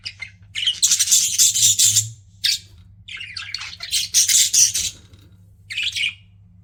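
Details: Pet budgerigars chattering: bursts of harsh, buzzy high chirps and squawks in irregular clusters, loud and overlapping, with brief pauses between phrases and a low background hum.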